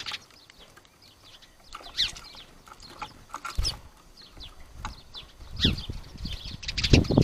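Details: House sparrows showing each other who is boss: a steady run of short, bright chirps from several birds, growing busier toward the end, mixed with low thumps and fluttering wingbeats.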